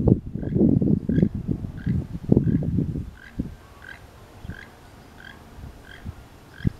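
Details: A pair of keel-billed toucans calling back and forth on the last day of the year: a burst of low, rough, frog-like croaks for three seconds, then quieter scattered ticks and occasional single croaks.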